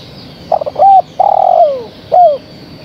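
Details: Female spotted dove calling her mate: a stuttering run of short coos, a hooted note, a long descending coo and a crisp falling final note, loud and clear over a quiet background.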